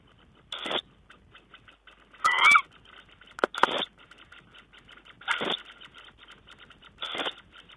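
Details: Tawny owl on 5 June 2010, giving raspy, breathy hisses spaced one to two seconds apart. One call has a brief squeaky edge, and soft scratchy background noise runs throughout.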